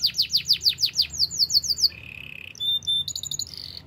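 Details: Canary song recorded in the wild: rapid falling whistled notes, then a flat buzzy trill, then brief high piping notes and a closing rattle.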